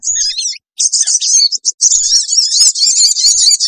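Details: Sooty-headed bulbul scream-type lure calls for attracting wild birds: near-continuous high, scratchy twittering with only brief breaks.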